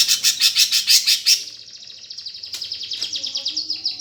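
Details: Greater green leafbird in sparrow-fight song, played to goad contest birds: loud rhythmic harsh bursts at first, then a long thin high trill of fast ticking notes, briefly broken by a sharp click.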